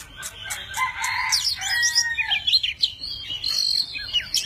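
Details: Varied singing from a tame Oriental magpie-robin displaying with spread wings and tail; a few dry clicks open into a low whistle, then a jumble of rapid chirps, buzzes and high slurred notes.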